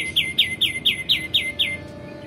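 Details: Repeated clear, falling chirps, seven in an even row roughly a quarter second apart, from a male white-eared bulbul singing energetically as a tutor for magpie-robins and related songbirds.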